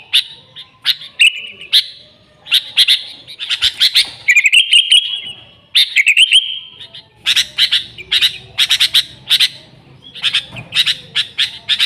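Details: Sooty-headed bulbul used to lure its own kind: busy runs of harsh, clipped chirps, broken by two drawn-out, steady whistles midway and followed by more rapid chattering bursts.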